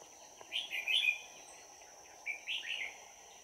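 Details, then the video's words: Red-whiskered bulbul luring wild birds to a trap, recorded 22 December 2018. Two short, rich warbled phrases about two seconds apart sound over a steady shrill whine and soft hiss. "Bẫy chào mào Hàng chơi lăng xăng"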